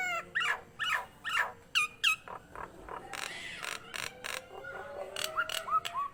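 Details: Nias hill myna, singing vigorously: a string of hoarse falling whistles at first, then a jumble of harsh bursts and softer whistled notes over steady background hiss.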